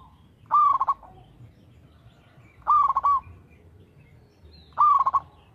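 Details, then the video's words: Steady, active singing from a local zebra dove, used as a lure for other doves: three phrases roughly two seconds apart, each a rising opening note followed by a fast stammering series of soft coos, against quiet low background noise. "TERATUR PERKUTUT LOKAL GACOR SUARA TERATUR PANCINGAN TERBAIK"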